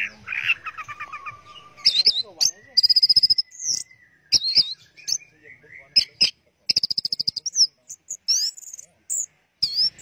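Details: Varied song from an Orange-headed thrush in the teler style. It opens with a lower chattering trill, then moves to high buzzy bursts, rapid stuttered notes and thin sliding whistles.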